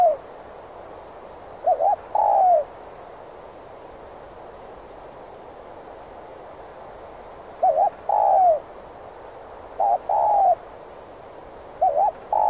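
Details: Spotted dove lure call for trapping wild doves: wavering short notes joined to a broken, falling coo, four phrases separated by long quiet gaps of several seconds, steady hiss underneath.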